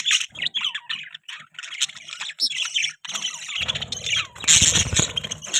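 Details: Pet budgerigars chirping: busy, scratchy high chatter of short notes and warbles, briefly pausing, with a low rumbling noise rising underneath during the final seconds.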